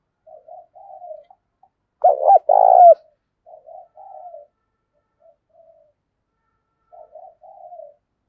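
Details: Decoy spotted dove in 'giọng thổ' style, cooing to attract wild doves: one loud rough two-note coo phrase among repeated soft, mellow three-part coos and faint short notes.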